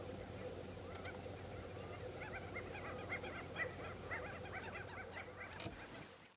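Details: White-backed stilts calling in a dense run of sharp, honking, yelping notes, about two per second and building in the middle, with a constant low droning hum underneath.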